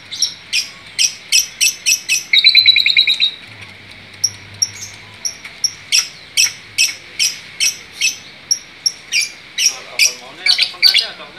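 A long-tailed shrike gives sharp, high chirps about twice a second, broken by a brief harsh rattling burst and a varied, chattering run near the end.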